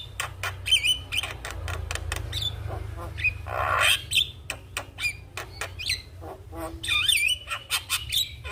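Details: Lively Javan myna song used as tutor material for juvenile mynas: sharp clicks and harsh squawks alternate with short whistles, a broad noisy rasp, and a looping whistled phrase near the end.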